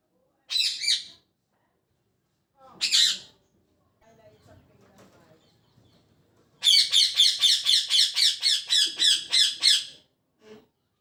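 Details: Parrot calling in the morning: two separate harsh chirps, a stretch of soft low rustling, then a rapid run of about fourteen raspy chirping notes, ending with one faint call.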